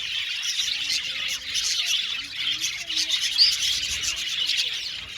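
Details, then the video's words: Colony of budgies in an aviary: continuous high, scratchy chattering and chirping from numerous birds, rising to a louder burst of squawky notes near the middle. "budgies chirping sound"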